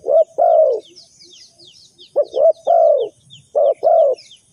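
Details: Decoy spotted dove used in bird trapping, cooing low, round, short-then-long phrases while many thin, descending chirps from small birds pattern the background.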